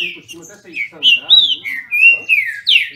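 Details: In a Brazilian breeder's song dispute, Green-winged Saltators give bright, ringing whistled notes about three per second, each slurred and sliding, ending on a strong upward-then-falling note.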